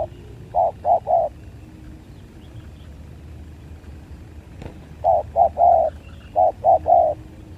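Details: Spotted doves fighting, 2023: two groups of three short, low, hollow coos at about 0.6 and 5 seconds, then a third triplet near 6.5 seconds, the last note of each group longest, over faint background hum.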